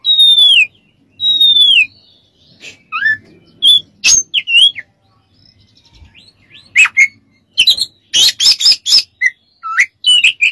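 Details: Oriental magpie-robin masteran recording for training other birds: two loud clear whistles falling at their ends, then rising whistles, chips and a run of rasping buzzy notes.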